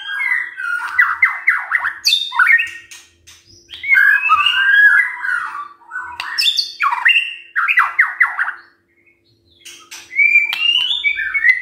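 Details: White-rumped shama morning song meant to rouse silent shamas: a long, busy run of repeated slurred notes, chattering squawky phrases and high whistles, broken by brief pauses, with a faint background hum.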